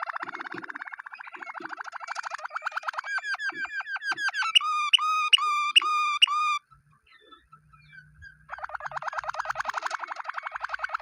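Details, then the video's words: Singing Waterslager canary: a low rolling trill passes into clipped, clicking notes and a bright, bell-like rapid series. A short near-silent pause follows, then the rolling trill resumes. "canary water slaigar singing"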